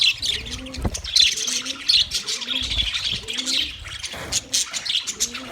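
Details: A group of budgies on 9 March 2024 keeps up continuous high twittering and chirping, while low hooting coos repeat roughly every second in the background.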